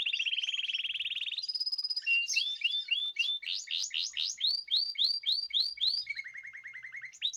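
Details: Group song of caged birds fed natural food, 14 March 2026: a steady rolling trill, a held high tone, then a run of loud repeated swooping whistles about four per second, ending in a lower trill.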